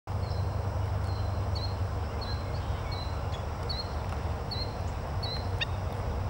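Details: Four killdeer chicks: thin, high peeping notes repeat about every two-thirds of a second, faint above a strong low rumble of background noise.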